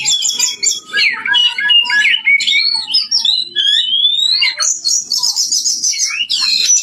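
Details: Oriental magpie-robin delivering a powerful song of sweeping whistles that rise and fall, sharp squeaky notes, and a closing burst of rapid high chatter.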